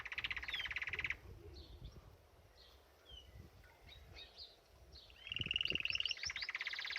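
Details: Canary singing while bathing in a birdbath: a fast buzzy trill near the start, scattered soft chirps, then a bright rapid rolled trill at the end, with splashing and rustling underneath.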